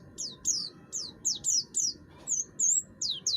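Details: Buxtoni oriental white-eye in full song, harsh-voiced and used to provoke other birds into singing: sharp high descending slurred notes in quick bursts, with a faint low hum beneath.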